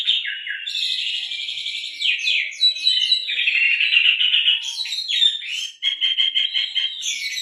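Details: Oriental magpie-robin song filled with canary-style phrases, used for luring: fast buzzy trills and twittering runs, sweeping high notes, then clipped repeated chirps near the end, steady and loud.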